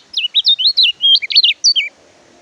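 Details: A brief, bright phrase from an Oriental white-eye, used as a training recording for quiet birds: a rapid chain of about a dozen high, slurred whistled notes delivered in under two seconds, then silence.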